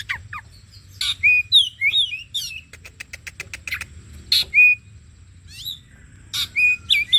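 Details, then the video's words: ['Oriental magpie-robin lure song meant to trigger singing: quick twisting whistles, a run of dry ticking clicks, then scattered harsh notes and more slurred whistles.'] "The bait for the kacer bird turns directly to the gacor"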